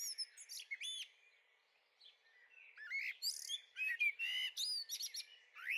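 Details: A young Common blackbird in a garden on 23 May 2013 gives a busy, irregular string of high chirps, squeaky notes and short whistled slurs, about two a second, broken by a brief pause.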